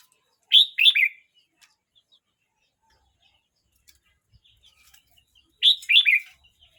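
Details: Red-whiskered bulbul, 12 months 29 days old, gives two bright warbled phrases of quick looping notes about five seconds apart, with quiet gaps holding only faint ticks.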